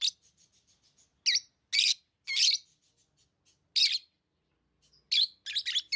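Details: Captive lovebirds: a soft, fast ticking chatter, then loud raspy high chirps about every half second, a pause, and a closing burst of quick shrill notes.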